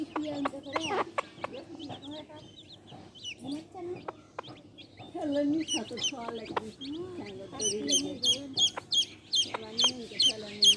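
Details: Low, rolling clucks and murmurs from a hen dominate early, with scattered clicks, before her baby chicks break into a dense run of high, falling peeps in the final seconds.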